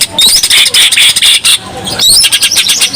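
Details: Greater green leafbird in full song, used to lure other birds: dense, loud chattering and warbling with bright high whistled slurs and rapid pulsed notes, nearly continuous with brief breaks.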